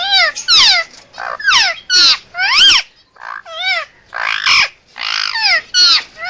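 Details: Indian ringneck parakeet, a pet bird, making what is described as emergency sounds: loud harsh screeches in rapid bursts, sweeping up and down, about a dozen calls separated by short pauses.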